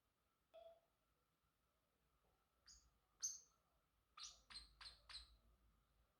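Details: Male Pacific parrotlet at home, giving soft scattered chirps that build into a quick run of four short, high, clipped notes near the end, over a quiet background.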